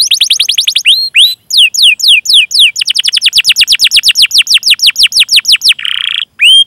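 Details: Canary in long 'cuit cuit' song, meant to provoke silent or young canaries into singing. Rapid high chirps are broken by short pauses, then a long even run of curved whistles. The song ends with a brief buzzy rattle and one rising note.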